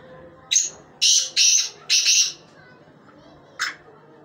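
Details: Black francolin call of a short note plus three rasping, loud bursts, followed a second later by a single sharp note.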